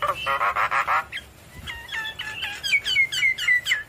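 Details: Javan myna in vigorous song with head-nodding: a buzzy, grating burst, then a run of repeated, clipped whistles that build into bright, falling notes about four per second.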